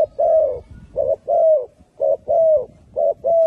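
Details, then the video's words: Spotted doves in Malaysia coo in soft, low notes, a short coo followed by a longer drawn-out croo, repeated about once a second, over a faint low background rumble. "Spotted Doves Sounds"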